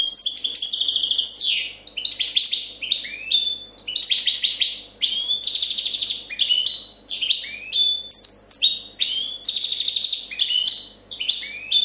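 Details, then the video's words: Champion European goldfinch from 2014 delivering a clean copia song: continuous high twittering phrases mixing liquid trills, descending slurs and buzzy notes, with brief gaps every second or so. "Chardonneret chant copia champion 2014"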